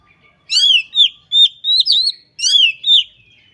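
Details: Oriental magpie-robin (kacer) singing in full 'gacor' voice, showing its learned repertoire: ringing downslurred whistles and buzzy notes in two quick phrases of several notes each, clean background.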